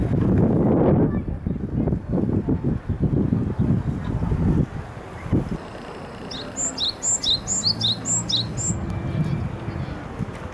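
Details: Japanese tit singing during cherry-blossom viewing on 30 April 2018; in the second half, quick high two-note phrases repeat several times, after voices and low rumbling noise.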